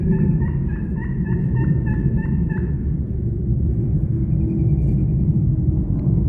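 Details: Gobbling wild turkeys heard on the other side from a public-land hunting setup on opening morning, 2025: a fast, rattling string of about eight gulping notes over roughly two and a half seconds, then fading, with steady low background rumble.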